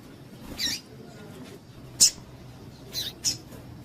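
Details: Calling female double-collared seedeater, whose chips excite males for singing tournaments. Four isolated, sharp, high-pitched chips spaced irregularly across a few seconds, with quiet hiss between them.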